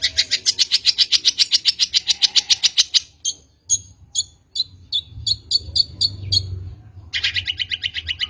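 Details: Long-tailed shrike song used to lure shrikes: a fast even trill of harsh notes, then scattered sharp ticks and chirps, then the rapid trill returning.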